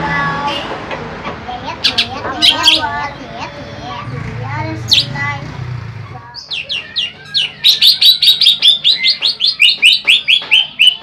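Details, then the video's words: Greater green leafbird master song for luring birds: mixed whistles and chirps with background voices, then a fast steady series of sharp repeated chirps, about two or three per second. "Burung cucak ijo BIG,ijo jumbo,masteran cocok untuK Mikat."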